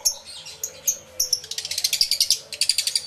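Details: Lovebirds in an aviary, picked up by a camera with two external microphones: sporadic high squeaks, then a fast, steady series of piercing chirps several per second.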